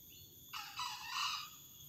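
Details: Green junglefowl cock crowing in the wild near a house, at a spot rich in both sexes: a single brief hoarse two-part crow, a clipped opening note then a longer scratchy phrase, with constant shrill insect drone behind.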